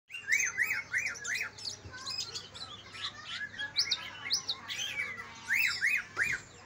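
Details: Greater green leafbird song, Kalimantan and Banyuwangi birds compared, used as a lure to make sluggish leafbirds sing: rich, varied whistled phrases with repeated arched notes, quick chirps and higher twittering, mostly continuous.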